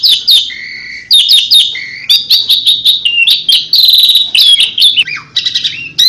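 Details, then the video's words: Asian pied starling singing a loud 'tembakan' burst: rapid sharp chips and clear whistled notes, some steady and some sliding, strung in quick phrases with brief pauses, plus a faint low hum. "TEMBAKAN JALAK SUREN INI BIKIN BURUNG APAPUN TERPIKAT"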